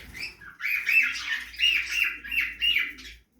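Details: Budgies feed in an outdoor backyard aviary, giving continuous warbled chatter. Quick scratchy chirps and short whistled notes rise and fall in repeated bursts about twice a second.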